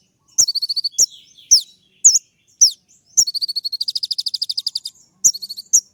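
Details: Energetic sunbird (kolibri ninja) song for provoking other birds: piercing downward-slurred whistles, then a long, quick, even buzzy trill near the middle, closing with more sharp whistles.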